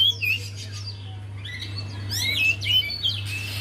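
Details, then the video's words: Javan white-eye song used as a lure for a bird that will not sing; short high chirps and twitters, clustered in bursts about three per second, with a steady low hum. "Buat Pancingan Untuk Poci Yg Malas Bunyi"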